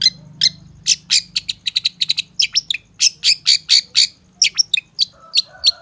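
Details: Long-tailed shrike lure song built from varied fills: a dense, uneven volley of piercing high chips, around four each second, some buzzy, with a low steady hum in the background.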